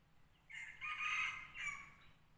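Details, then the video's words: Red junglefowl decoy bird, a newly tried bird used in hunting to lure wild junglefowl, gives one crow of about two seconds: a short opening note, a loud drawn-out harsh middle, then a briefer falling end, over faint low rumble. "ຕໍ່ໄກ່ປ່າ ລອງໄກ່ໃຫມ່ຫມານໆ ต่อไก่ป่า ลองไก่ไหม่หมานๆ"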